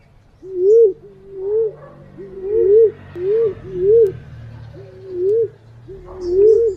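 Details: Green pigeon lure call: a steady series of curling, wavering whistled notes, some joined into double loops, repeated about once a second over a low murmur of background noise.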